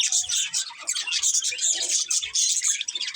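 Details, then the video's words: Several pet budgerigars in a family group chirping continuously: dense, bright, scratchy warbling chatter with quick overlapping chirps, steady throughout. "Cute Budgies Chirping Sounds"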